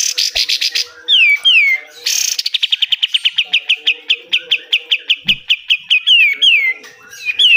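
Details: Lively pied triller song, besetan style, used to train caged birds: long accelerating run of bright, evenly repeated chipping notes framed by paired falling whistles, with a buzzy burst near the start.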